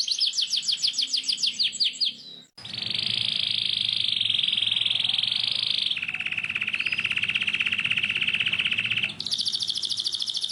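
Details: Canary singing a long, tight rolling song used as a model for young canaries learning to sing: descending note series, then long rapid buzzing trills at two pitch levels, ending in a higher fast trill.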